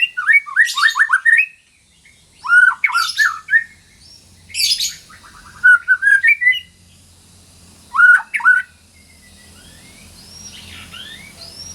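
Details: White-rumped shama singing in a caged-bird recording: four separate bursts of fast, rich whistled and harsh chattering notes, each about a second long, with a faint soft hum underneath and quieter high chirps near the end.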